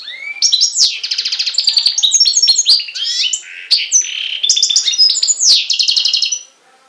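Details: A European goldfinch x canary hybrid (mule) on Syros, Greece, in July 2007 sings a fast, unbroken warble of bright twitters, rolling trills and high whistled notes for about six seconds.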